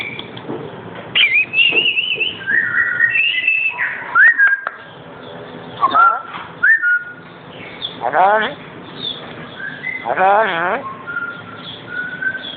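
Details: Male pet black-capped lory calling while being played with: a run of varied sliding whistles early on, then harsh, wavering harmonic squawks around eight and ten seconds, with short level whistles in between.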